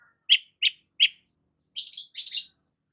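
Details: Long-tailed shrike singing in the morning sun: three clear, sharp chirps evenly spaced, then softer thin whistles and a run of high, hissing, scratchy notes.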